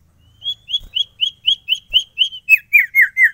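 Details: Sirtu singing a varied phrase: a regular series of short, upward-flicked whistled notes about four per second. Toward the end they turn into lower, slurred, downward-bending notes.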